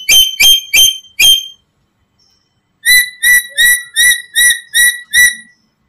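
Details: Black-capped lory, its calls used as a lure to attract other lories: four loud grating squawks, a silent gap, then a steady series of seven harsh screeches about three per second.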